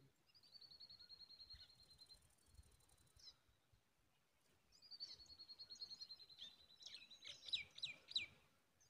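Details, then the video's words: Common tailorbird at the nest while a parent feeds all its chicks except the first one. A long run of rapid, high, evenly repeated notes, a pause, then another fast series ending in several louder, sharper chirps. "Tailor bird feeding all babies except first one"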